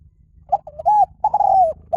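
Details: Spotted dove song, used as a lure so that trained birds will call back. Short clipped coos are followed by two longer, mellow, slightly falling coo phrases in a clean recording.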